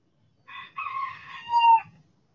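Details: Backyard rooster in the sun gives a clean, full crow: a short opening note, then a long sustained harmonic syllable that swells and ends on a loud drawn-out tail, with a quiet background.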